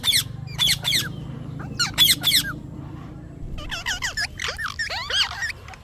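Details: Chirping parrot: three clusters of sharp, harsh chirps, then a quieter, faster run of rising and falling twittering notes, over a soft low rumble.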